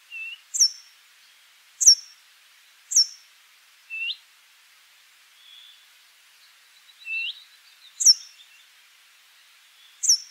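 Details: Brambling singing: a loud, sharp high note sweeping down, repeated roughly every one to two seconds, alternating with softer, lower upslurred whistles; scattered faint notes between phrases.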